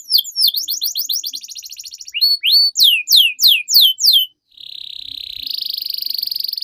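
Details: Canary tutor song used to train young canaries to sing: rapid tours of repeated downward-sweeping whistled notes, then louder slurred notes about every third of a second, a pause, and a long buzzy rolling trill.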